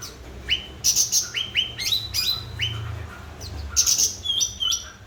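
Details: A lively cucak ranting bulbul, meant to coax non-singing birds into song, gives bright rising notes in short bursts, interspersed with high sharp chirps and a brief twittering phrase.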